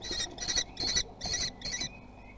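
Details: Common kestrel chicks in a nest at Théding, France, on 17 June 2020, competing to be fastest to eat: five harsh, high, scratchy begging bursts, each about a quarter second long, over a low rumbling background.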